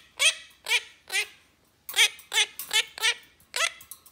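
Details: Gentle female Quaker parrot aged three chatters with her owner in a small room: rasping, harmonic squawk syllables in uneven clusters, some paired, sounding like garbled speech.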